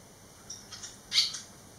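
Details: Three barn swallow fledglings, 11 days after leaving the nest, returned: soft, high, short chirps, then one louder squeaky note, over a steady background hum.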